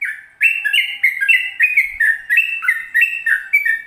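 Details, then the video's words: Yellow-vented bulbul, a long rapid 'ropel panjang' song used as a training recording for caged birds: fast bubbly run of short whistled notes jumping up and down, about three per second, loud and clear. "Trucukan Ropel Panjang Gacor"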